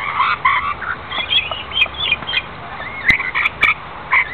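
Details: Rainbow lorikeets, wild, gathered under an umbrella during rain on the Gold Coast, Australia, trade short grating squawks and rising squeaky notes. Rain hisses steadily beneath, with a few sharp drip-like clicks.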